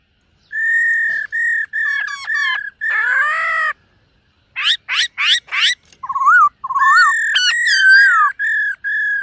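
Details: Black-throated laughingthrush singing and dancing in a morning voice-training session: level ringing whistles repeated in runs, then a burst of harsh buzzy notes, rapid rising sweeps, and warbled looping phrases returning to steady whistles.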